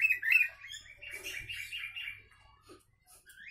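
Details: Sooty-headed bulbul delivering song laced with Javan myna mimicry, meant for training other bulbuls and mynas; a run of warbling, chattering notes rises and falls for about two seconds, then fades to a few scattered chirps over a faint low hum.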